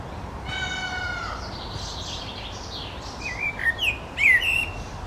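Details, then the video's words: Common blackbird (Turdus merula) singing while perched in a linden tree in Helsinki, Finland, June 2013: a drawn-out nasal note, then a few short, clear whistled phrases sliding up and down, over a steady background hiss. "Blackbird perching in a linden tree, singing"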